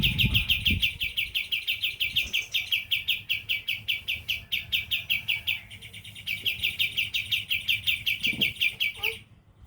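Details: Sooty-headed bulbul singing its 'tembakan', a burst-style singing phrase: a long, very fast run of sharp, identical chirps repeated steadily for the whole stretch, briefly softer midway, with low rumbling background noise.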